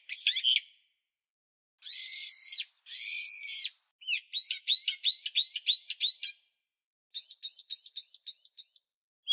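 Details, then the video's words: A bulbul gives high, harsh scratchy bursts, then quick series of sharp rising chirps, about three a second, with brief pauses between runs. "Cries of a bulbul"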